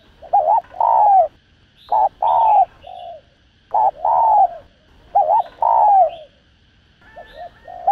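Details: Vietnamese spotted dove giving the urgent 'thúc gù' coo used to excite decoy birds for trapping: a short wavering note, then a longer steady low coo that slides down at the end, in four pairs with a few softer extra notes.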